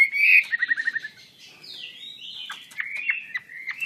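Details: Chinese hwamei in song: a burst of quick repeated notes, then long sliding whistles and sharp clipped phrases.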